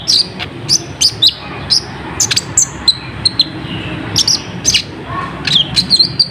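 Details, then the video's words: Lure recording of an olive-backed sunbird: a rapid series of shrill, very high chips and short sliding whistles, arriving in clusters with slight pauses, over steady low background noise. "Suara Pedes Burung Kolibri Ninja"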